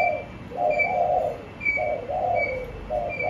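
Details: Caged spotted dove giving low, mellow cooing phrases, each a soft two-part coo repeated about every second, with a faint, thin high whistle recurring between phrases and quiet indoor background.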